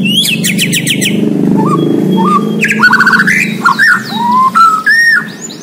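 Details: White-rumped shama of the Borneo type singing vigorously: an opening run of rapid buzzy ticks, then varied clear whistles, slurred upward and downward notes and short trills, with a steady low hum underneath.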